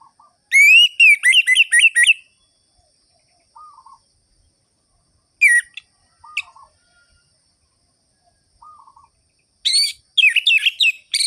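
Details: Orange-headed thrush singing sharp ngerol-ngeplong phrases to stir lethargic birds: a loud whistled trill sequence, long quiet stretches marked by soft low rolling notes and brief bursts, then an energetic whistled flurry.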